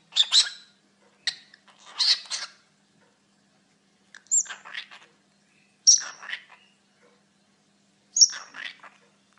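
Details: Pet cockatiel talking indoors: five short bursts of raspy, speech-like syllables spaced a couple of seconds apart, several opening with a sharp high squeak, separated by silence.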